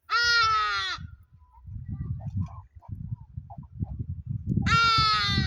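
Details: Hadada ibis giving loud, harsh, nasal calls that drop slightly in pitch, one at the start and another near the end, with low rumbling wind noise in between.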